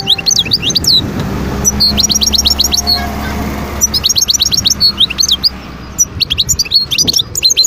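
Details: Wild European goldfinch singing at Guerbaz, Skikda, Algeria, 2022: bright, high twittering in quick runs of short chirps and tinkling notes, with brief pauses between bursts, over a faint low background hum.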